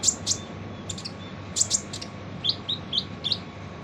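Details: Kolibri ninja sunbird harsh training song: quick high chirps, then a series of short lower slurred notes repeated about every quarter second, amid a noisy hiss.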